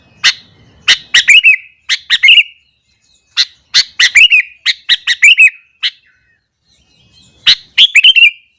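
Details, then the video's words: Sooty-headed bulbul in full morning song meant to stir other bulbuls: clusters of fast, warbled chirps, each burst a bouncing series of bright notes separated by brief silences. "burung kutilang gacor kesetanan yakin bikin tilang lain langsung naik emosi"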